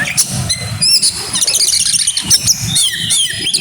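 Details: Kacer (oriental magpie-robin) in grabakan style: sharp high whistles, rising and falling slurs and quick chirps, with a soft low murmur behind.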